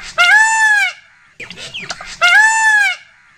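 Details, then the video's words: A peacock gives two loud, nasal, wailing calls about two seconds apart, each under a second long, with faint scrappy noises in the pause between. "Peacock sound"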